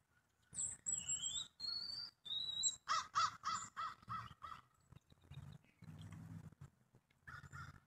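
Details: Pheasant giving a series of rough, pulsed notes repeated quickly, with high whistled songbird phrases before them and low rustling noise throughout.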